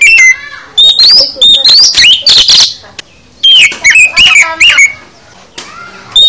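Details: Oriental magpie-robin full song: loud varied whistles, sweeping rising and falling notes mixed with harsh chattering bursts, delivered in phrases with brief pauses.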